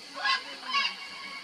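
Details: At the Buraco das Araras (Macaw Sinkhole), Mato Grosso do Sul, Brazil, a macaw gives two harsh, raucous squawks about half a second apart over a steady background hiss.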